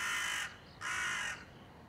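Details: Two rasping crow caws, close and loud, the second longer and drawn out, recorded 30 September 2020 with quiet background between them.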